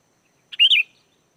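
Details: Sooty-headed bulbul, a lure recording meant to make wild birds answer: one brief, clear phrase of a short note followed by a bright, slightly rising then falling whistle.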